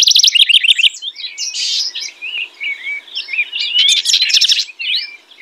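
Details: House wren singing: a bubbly, tumbling jumble of high chirps and warbles opening with a run of fast repeated notes, then sliding whistled phrases and a closing rapid trill.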